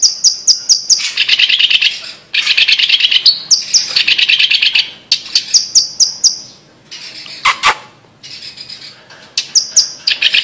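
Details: Sumatran blue-masked leafbird song: runs of quick high ticking notes break into dense scratchy warbled phrases, repeated in bursts with brief pauses and one sharp sliding call.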